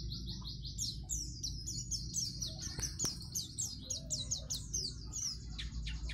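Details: White-eye (pleci) delivering a fast 'gacor' song meant to train young birds to sing long: tightly repeated high downslurred notes forming a rattling run, with a sharp tap midway and a fairly strong low-pitched background rumble.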